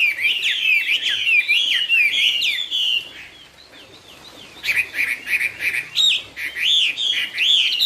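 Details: Chinese hwamei performing "cao cầu" style song: a rich, rapid stream of varied whistled notes and slurs lasting three seconds, a short pause, then another energetic burst of sweeping, rising whistles.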